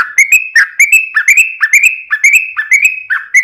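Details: Trucukan singing ropel as a lure to draw song from other birds: repeated liquid notes, each rising then holding briefly, about three per second.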